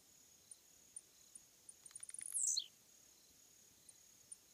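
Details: A blue-black grassquit (Volatinia jacarina) on a roadside fence gives its short, high song: a quick run of ticks building into one sharp, buzzy, falling note. An insect's steady high drone continues behind it.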